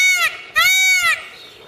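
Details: Peacock calling during its dance: two loud, nasal, strongly harmonic wailing notes, a short one followed after a brief gap by a longer, slightly arched one, then fading to quiet background.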